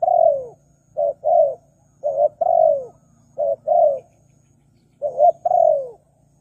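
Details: Spotted dove call used to lure wild doves, a short coo followed by a longer drawn-out falling coo, phrases repeated roughly every second over a faint low steady hum.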